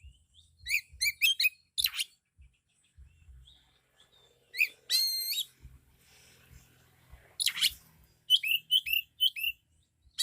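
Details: Oriental magpie-robin, called kacer, in full 'isian' loud song: scattered sharp chirp series, a descending noisy sweep, a looping whistled phrase, then another burst of quick chirps after a quieter pause.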